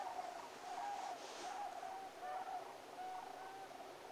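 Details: Sandhill cranes at Whitewater park, Brookville, recorded 5 December 2019: a group trading repeated rattling bugles, short rolling notes about one each second, with a faint wash of background noise.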